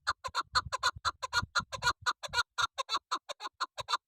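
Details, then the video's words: A female chakor, or chukar partridge, calling in a fast, steady stream of hoarse chuk notes over four seconds, with faint low rumbling handling noise beneath the first half. "Shikari Chakor double sound .Female chakor sound.Keklik sesi voice."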